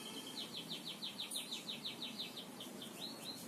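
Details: Canary master song in the 'gacor ngebor' style, meant for training other birds: a steady series of quick, high downslurred notes, about five per second, ending in a few rising whistles over a noisy, hissing background.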